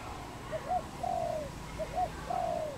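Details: Cambodian wild dove, one of a pair, 24 April 2020: two short clipped coos, then a long soft falling coo, the phrase given twice in quick succession.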